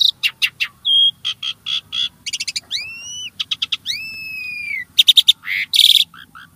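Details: Starling song played to prompt caged birds to sing: stuttering clicks and trills, a brief pure whistle, long smoothly rising and slowly descending whistled notes, then loud harsh buzzes and soft high chirps near the end.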